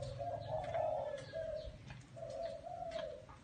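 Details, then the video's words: Low, breathy coos of a spotted dove in a small garden. One long phrase, a short note and another long phrase come over a faint low hum, with scattered high chirps. "Tiếng Chim Cu Gáy"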